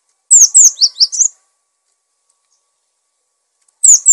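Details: Cinereous tit, recorded to train other birds: a rapid series of five clear, downslurred high whistles, then silence before the same phrase starts again.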